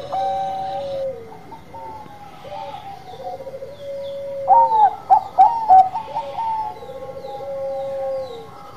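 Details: Bangkok-type zebra dove (perkutut) singing: several bursts of clipped, staccato coos, some falling, with a louder cluster of quick, ringing notes near the middle and fainter overlapping cooing behind.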